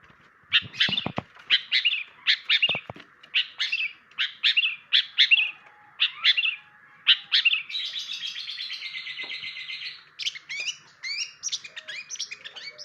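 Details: Long-tailed shrike song: choppy groups of high chirps and trills, then a longer buzzy rattling stretch, followed by quick upward-flicking whistles; a few soft lower sounds underneath, played as a learning sound for other birds.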